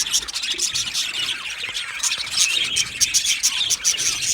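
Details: Many budgerigars in an aviary colony give constant high, scratchy chirping and warbling, with thin piping notes standing out near the end.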